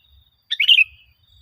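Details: Sooty-headed bulbul, a lure recording for making caged birds sing: one short bubbly chirped phrase, a quick cluster of bright notes, with a faint steady high tone in the background.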